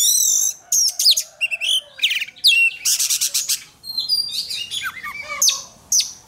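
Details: Oriental magpie-robin in fired-up contest-training song: a loud opening whistle, then rapid stuttering trills and descending slurred notes, a quieter jumble midway, and strong whistles near the end.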